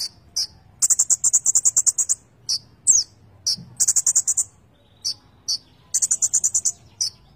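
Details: Konin songbird singing continuously with full fill-ins. Three bursts of fast high buzzy trill are separated by single sharp notes and a slurred whistle.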